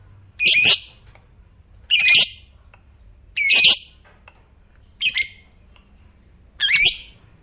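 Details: Fighter lovebird, whose long trilling is said to get other lovebirds singing, gives five harsh, noisy squawks spaced about every one and a half seconds, each short and rasping.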